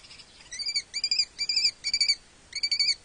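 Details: Lesser kestrels during copulation at a nest-box colony webcam in Cabañeros National Park, Spain: harsh, rasping chattering notes given in five quick bursts of three or four notes each, over faint background noise.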